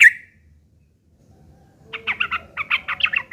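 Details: Sooty-headed bulbul giving a harsh fighting song meant as a lure to draw an answer from other bulbuls; one sharp opening note, a pause, then a quick string of about eight rough, bubbling whistled notes.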